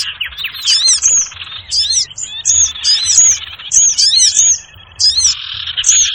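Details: Sirtu bird lure call used for bird trapping: bursts of sharp, high zigzag chirps repeated roughly every half second, over a steady buzzy chattering background of other birds.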